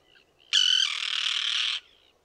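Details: Common tern in a small breeding colony with chicks on a concrete block near a mole, 1.5 km from the sea at Liepāja, Latvia, June 2024, recorded on a Nikon Coolpix P1000; one loud, harsh, grating call held about 1.3 seconds.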